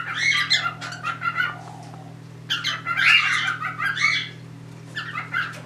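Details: Indoor cockatiel trio with a mating pair and a third bird intruding; grating squawks in clusters separated by brief pauses, steady hum in the background.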